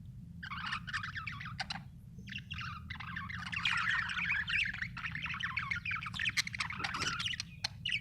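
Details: Happy budgie chirping, Australian bird, heard as busy warbling chatter of quick chirps and trills, fairly quiet, over a steady low hum throughout.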